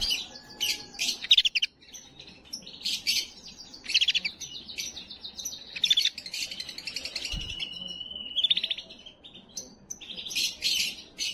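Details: Singing canary, used to excite and ready females for breeding: loud, bright high trills and rapid chirp bursts, with a long steady whistled roll near the end, repeated phrases separated by short pauses.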